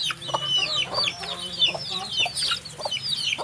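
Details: A crowd of chicks giving shrill, overlapping peeps, some rising and some falling, with scattered thumps and a low background hum.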